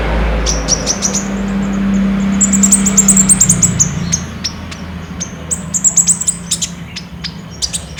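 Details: Olive-backed sunbird in full song as a lure for caged birds, phone-recorded on a Samsung J5: rapid runs of high, piercing chips and short trills in clusters, with a low background drone.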